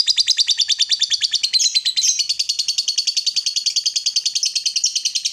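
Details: Lovebird 'ngekek panjang' trill for stimulating mute birds: a fast, continuous stream of squeaky pulses, roughly three per second, even and unbroken from start to finish.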